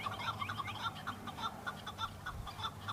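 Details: Chukar partridge, a male answering rival males during the season of display and fighting over females; quick clucking chuk notes with rising slurred elements, busy and rhythmic, over a low background hum.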